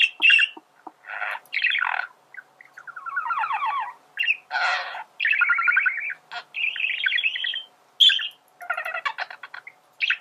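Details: Male budgerigar warbling, a recording meant for teaching birds to sing: a varied stream of chattering, scratchy notes and rapid buzzy trills, with short clicks between phrases, all nearly continuous over ten seconds and with no other sounds.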